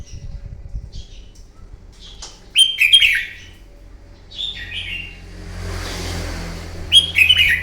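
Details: Red-whiskered bulbul, a wild-caught bird, giving its fighting song in the morning, recorded to stimulate and train other birds: short warbled, slurred whistled phrases dropping in pitch, about four bursts in under eight seconds, with low background rumble and faint hiss.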